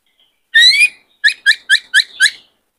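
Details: Many-voiced song of a white-cheeked laughingthrush, intended to train new birds and excite males: one long rising whistle, then five short emphatic upslurred notes repeated about every quarter second.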